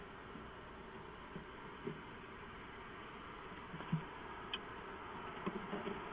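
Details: A steady low hum fills a small enclosed space inside a camera housing before dawn, broken by faint scattered clicks and soft bumps, with no clear animal voice.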